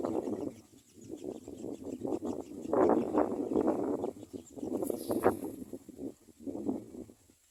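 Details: Common myna nestlings in the nest after being fed give harsh, raspy rattling chatter in quick bursts, swelling louder in the middle, with brief pauses between runs.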